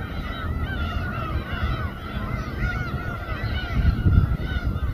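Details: Gulls gather in chorus over a fish-slicing boat at Samgilpo port, Seosan; a continuous mesh of curved mewing calls runs over low rumble, with a louder thump near the end.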